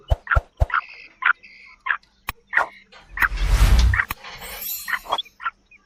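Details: Female black francolin calling to attract and excite males: short, husky notes repeated in uneven bursts. A loud rumbling, rustling burst of noise interrupts the series midway before the notes resume.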